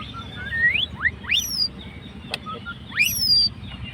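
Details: Fighter white-rumped shama singing to stir a rival's emotions, giving clear whistles that sweep steeply upward, some long and rising, with a sharp click and a soft low rumble behind.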